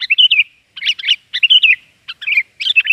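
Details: Sooty-headed bulbul (kutilang), a lively, noisy (gacor) lure call used to attract birds: loud bubbly chirping phrases, each a quick cluster of warbled notes, repeated about every half second with short gaps.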